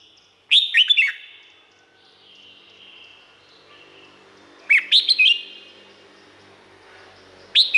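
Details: Song of a red-whiskered bulbul from Thailand, played to train or excite caged birds: lively, gurgling whistled phrases repeated roughly every four seconds, separated by faint, lingering tones.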